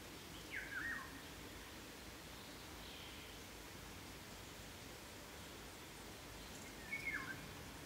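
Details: A Eurasian golden oriole (Oriolus oriolus), back in Provence in spring to nest, sings two brief, fluty whistled phrases about six seconds apart, each with a quick sliding note, over steady background hiss.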